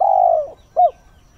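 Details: Spotted dove used as a decoy, cooing at dawn to stir wild birds: a long, low, smooth hoot that tails off, a pause, then a short rounded coo note.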